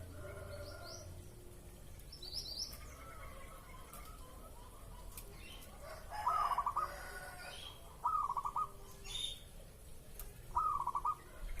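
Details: Zebra dove in breeding mood, used as a lure to provoke a response, giving three stuttering coo phrases a couple of seconds apart, each a sharp note followed by rapid soft rolling notes, with faint high chirps of other birds.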